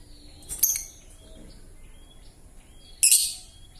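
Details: Young lovebird still learning, its voice hoarse and rough: two short harsh, raspy bursts about two and a half seconds apart, with faint thin whistles between them.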